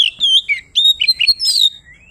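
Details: Oriental magpie-robin, locally called kacer, in loud 'ngeplong' song to call a rival: a dense run of clear looping whistles, alternating higher and lower notes, ending in a soft rising whistle.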